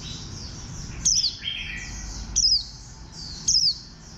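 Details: Warbling white-eye, a green white-eye described as bantam-shaped, giving sharp, high, downslurred notes three times in about four seconds, with a softer whistled note between them over constant high twittering from other small birds.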